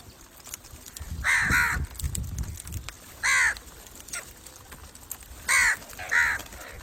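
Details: Hoarse crow caws, single and in pairs, with low rumbling noise near the start; calls meant to attract crows.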